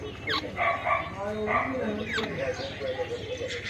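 A parrot gives a quick run of harsh, raspy squawks and voice-like chatter, several short bursts each second, with a low background hum.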